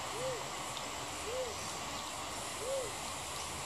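A crested pigeon gives three soft, low whoops, each rising then falling, spaced about a second apart, over a steady hiss of background noise.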